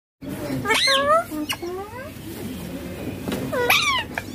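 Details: Ringneck green parrot talking while playing on a mobile phone: two high, harmonic-rich mimicked phrases with sharply bending pitch, one near the start and one near the end, over a low steady background hum.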